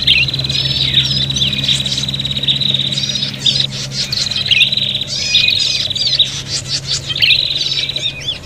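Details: Prinias calling in an agitated fight, used as a lure: sustained high buzzing trills in bursts of about two seconds, separated by brief gaps, mixed with scratchy chirps; low hum throughout.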